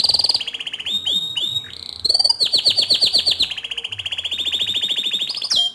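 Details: Bottle-green canary in full, continuous song, used as tutor song for young and untrained canaries: rapid high buzzy trills and repeated sweeping notes, a long steady rolling trill of fast repeated syllables, ending with sharp high chirps.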